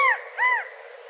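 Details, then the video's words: California quail giving two short arched nasal calls a third of a second apart, with soft background hiss. "California Quail Callipepla californica Sound Bird Song Call"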